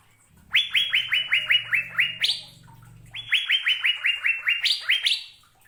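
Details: Two series of clear, sharply upswept whistles from an Asian fairy-bluebird, about eight notes each at a fast even pace, a low hum sounding under the first series.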